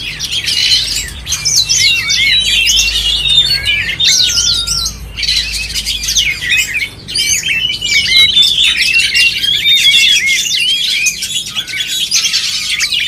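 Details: Oriental magpie-robins singing at a songbird contest: a dense, overlapping chorus of high whistled phrases, rapid slurred notes and sweeping trills, almost continuous, with a brief lull near seven seconds.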